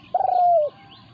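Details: Spotted dove in a standoff between a decoy and a wild resident bird: a single long coo that starts with a stuttering flutter, then steadies and falls away at the end.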